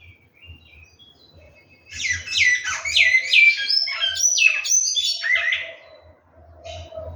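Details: Captive large-billed seed finch at a breeding setup, opening with faint soft notes, then a loud, fast sequence of clear down-slurred and rising whistles lasting about four seconds before trailing off quietly.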